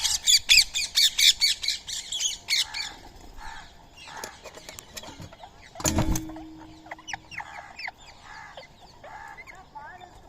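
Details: Indian ringneck parrot at daily feeding time on soaked rice and corn, a squirrel sharing the meal; a fast run of harsh, raspy squawks repeats about twice a second for nearly three seconds, then softer chirps and a thump.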